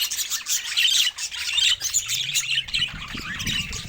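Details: Several pet budgies chatter loudly, with high squeaky chirps and warbled phrases in quick bursts and brief dips between them.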